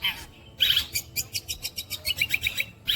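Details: Caged long-tailed shrike in Indonesia singing a mimicking song of other birds and insects: rapid series of sharp, clicking high notes repeated several times a second, with brief harsh bursts.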